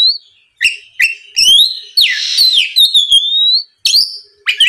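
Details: Lure song of an Oriental magpie-robin, used to make rival birds sing back: clear whistled notes, a loud harsh rasping phrase in the middle, then a long rising whistle and sharp upward sweeps.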